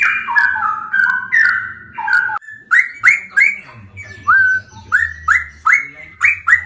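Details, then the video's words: Straw-headed bulbul (cucak rowo) in a rapid ropel song beside a samyong: loud liquid whistled phrases, slurred notes dipping and rising, then a run of short upward-sweeping whistles about three per second. "cucak rowo ropel"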